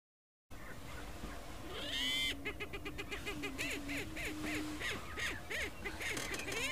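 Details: Greater prairie chickens in the wild in Colorado, USA: a busy chorus of rapid, harsh cackling notes repeated several times per second, with low hooting moans and whooping slides mixed underneath.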